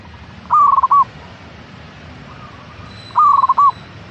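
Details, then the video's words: Caged local zebra dove, recording meant to prompt another dove into singing; two bright staccato cooing phrases, each a quick burst of pulsed notes with a final detached coo, about 2.6 seconds apart over quiet background. "Pancingan Burung Perkutut Agar Cepat Bunyi - Zebra Dove"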